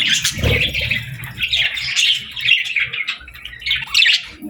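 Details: Parakeets chirp in bursts during summer: grating, squawky chatter rising and falling in short phrases, with a low thud near the start.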